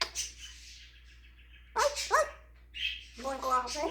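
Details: Pet African grey parrot running through its mimicry repertoire, giving a hissy squawk, two short rising nasal notes, then a harmonic bark-like imitation with scratchy noise.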